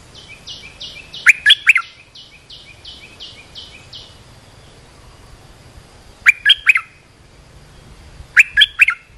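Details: Olive-winged bulbul call used to train young birds and lure wild birds: three loud bursts of quick, chattering notes spaced several seconds apart, preceded by a rapid series of thin, high, evenly repeated notes over the first three seconds.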